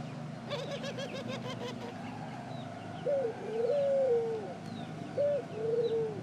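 Ring-necked dove giving low, hollow coos, a short note then a longer rolling phrase, repeated twice about two seconds apart over a steady low hum.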